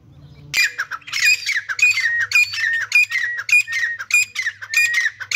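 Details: Dhakni teetar, grey francolin, one of a pair: after a quiet start, loud harsh squawking phrases ring out about twice a second with a rasping, ringing quality, over a faint low hum.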